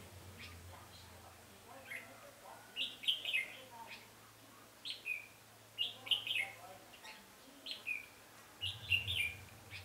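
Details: Trapping session on 20 November 2015 with a red-whiskered bulbul decoy calling in wild birds: lively bursts of cheerful slurred whistles, several notes per phrase, repeated every second or two, over a low intermittent hum.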